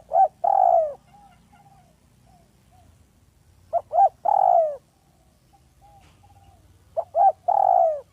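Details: Spotted dove from a village, calling steadily as a lure. Three phrases come roughly every three and a half seconds, each made of two quick notes and a long mellow coo sinking in pitch.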